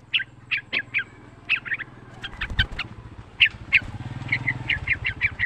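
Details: Young, pet yellow-vented bulbul, a frequent singer used as a lure to make other bulbuls sing: a steady run of short, bright chirped notes, some paired, over a constant low engine hum.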